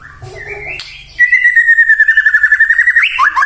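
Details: White-rumped shama song used to provoke other shamas into singing: after a short lower phrase, a long loud run of rapid pulsed notes on a steady pitch, ending in quick rising and falling whistles.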